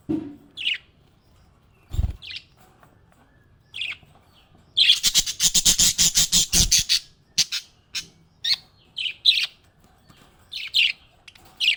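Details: Happy budgie: scattered high chirps, a loud two-second buzzy, rapidly pulsed chattering squawk in the middle, then more short bright chirps at quick intervals.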